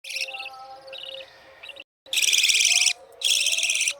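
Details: A newly hatched budgerigar chick gives harsh, raspy begging calls in rapid, high-pitched bursts.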